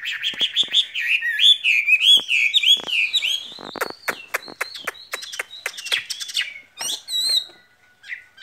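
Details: Spring love song of a caged skylark: a fast, high warble that gives way to scattered chirps, sharp clicks and thin whistled notes.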